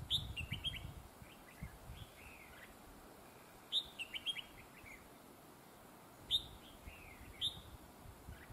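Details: Red-whiskered bulbul heard while being trapped, praised for a very fine voice with linked double phrases: three bursts of bright, warbled whistles sliding between high and mid pitch, each followed by short falling notes, with low rumbling noise beneath.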